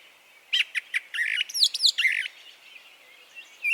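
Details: Spring Brown Thrasher song in Harvey County, Kansas; the recording includes a mimicked White-eyed Vireo call. Fast series of chirped notes runs into slurred, doubled whistles, then falls quiet before a final note.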